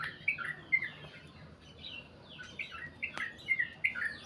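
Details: Sooty-headed bulbul giving a long 'goklik' style song: scattered short chirpy notes, some sliding down and some rising, in loose bursts over a quiet background hiss.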